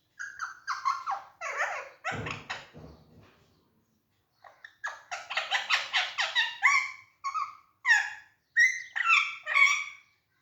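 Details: A caged green Alexandrine parakeet, playing in an active, jolly mood, gives harsh, nasal squawks and chattering notes, about two a second, with a short pause midway and a brief rustle early on.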